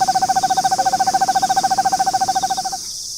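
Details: Eastern screech owl inside its nest box in Austin, Texas, home to a nesting pair for four years, gives a fast, even, monotone trill of evenly spaced notes that stops abruptly after under three seconds, then near silence.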